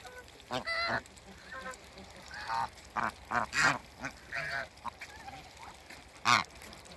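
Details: A couple of African geese on a waterbird farm give scattered short honks and nasal notes, irregularly spaced, over faint background noise.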